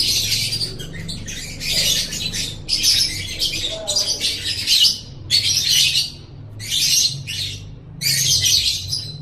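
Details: Lovebird song for training caged birds: loud, buzzy, high chattering bursts about a second long, separated by brief gaps, continuing steadily, with a soft low hum in the background.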